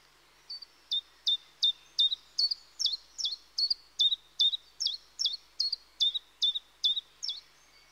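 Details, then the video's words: Common chiffchaff singing in woodland: a steady run of about eighteen short, high notes alternating between two pitches, each a sharp downward-slurred chip, evenly spaced roughly every 0.4 seconds, clean with almost no background noise. "Charming Chiffchaff(Phylloscopus Collybita)Melodies"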